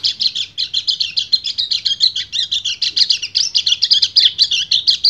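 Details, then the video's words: Breeding male white-eye (kecial kuning) in ngecir song aimed at a female: rapid, high, tightly packed chirps and trills forming one continuous energetic chatter. "PLECI GACOR NGEBREN - KECIAL KUNING BIRAHI MEMANGGIL BETINA"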